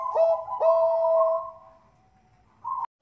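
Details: Farm-bred Bangkok-type zebra dove from Bekasi, West Java, Indonesia, singing vigorously as a lure to prompt other doves to sing: two soft, rolling mid-pitched coos with a long trailing note, then a pause and a short final note.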